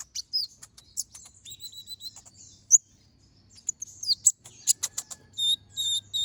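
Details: Brown-throated sunbird (konin, kolibri ninja) singing in the lively ngobra style with sharp 'tembakan' shots, used as a master recording to train other birds: very high thin chirps, quick downslurred whistles and short trills, irregularly spaced.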